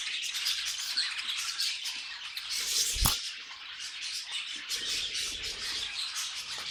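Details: Budgerigars singing as a group: busy overlapping warbles and chirps, with a brief low thump near the middle.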